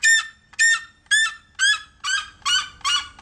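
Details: Red-legged Seriemas, a captive pair, calling in a rapid run of loud, harsh yelping notes, about eight in three seconds, each note rich and slightly rising, against a quiet background.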